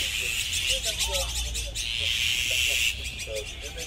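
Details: Azure-winged magpie flock, a group-living resident bird of Korea, uttering grating, buzzy calls in irregular clusters against a continuous shrill hum, with short low burbling notes scattered through.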